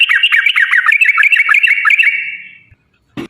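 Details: Rapid yellow-vented bulbul 'ropel panjang' song played to spur other birds: a fast chattering stream of bubbling fluty notes that merges into a fading whistle, followed by silence and a sharp click.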